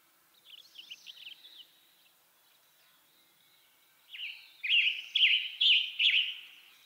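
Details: Western tanager singing. Soft, short warbled notes first, then a pause, then four loud, buzzy, burry phrases repeated about every half second.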